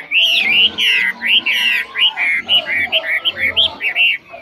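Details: Chinese hwamei, 'mộc chuyền' type, a caged bird singing well without faults; rich run of loud whistled notes, looping and slurred, speeding into short choppy phrases toward the end.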